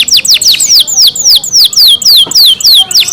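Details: Caged pet canary singing slower, slurred descending whistles, about four per second, each note curling down from high pitch, clear and loud.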